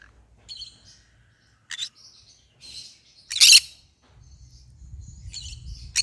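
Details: Green-cheeked conure, a pet parrot said to be singing: soft scattered high chirps and twittering, with one loud harsh burst midway, then low rumbling background noise toward the end.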